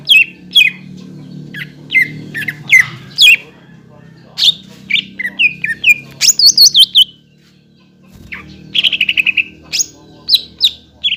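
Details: Greater green leafbird song played to prompt other leafbirds to sing: sharp downslurred chips, buzzy phrases and high squeaky notes, a short pause, then a quick trill and more chips.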